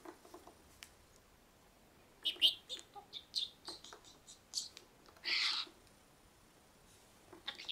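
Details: Pet budgerigar chattering and mimicking a camera shutter, learned from its owner's daily phrase. Soft chirps lead into scattered high clicks and squeaks, then a dense burst of clattering shutter-like noise, followed by more chirps.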